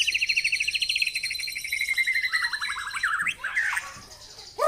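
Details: White-rumped shama singing fierce 'tembakan' phrases for a tutor recording: a fast repeated trill that slides gradually downward, then quick rising sweeps and a scratchy burst, with a faint steady high hiss behind.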